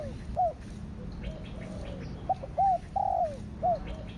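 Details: Spotted dove, thổ đặc thúc kích bổi (thổ sấm) coo style, giving a series of soft arched hoots and one longer falling note, fairly quiet against low rumbling background noise.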